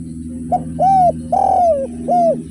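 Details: Four arched coos from a spotted dove singing in the derkuku tanpa kuk or kuk 1 style, the third longest and sliding downward, set over a steady low droning hum.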